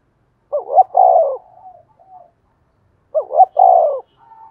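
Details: Spotted dove kept as a decoy, cooing to urge other doves to answer; two phrases roughly two and a half seconds apart, each two short rising notes then a long, softly falling coo, with faint trailing murmurs.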